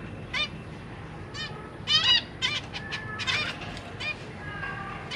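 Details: Zebra finches in a cage, parents feeding their babies: loud nasal, honking calls in short clusters with strong harmonics, separated by brief gaps, over a soft low background hum.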